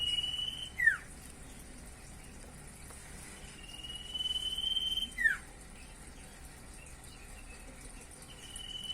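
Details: Common iora (sirtu, cipoh) in lively varied song: three drawn-out level whistles, each ending with a sharp downward slur, spaced a few seconds apart over a quiet hiss.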